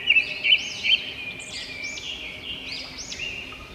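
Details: A robin chirping: three loud, sharp clipped notes in quick succession, then a series of high, looping arched chirps overlapping softly above a continuous faint hiss.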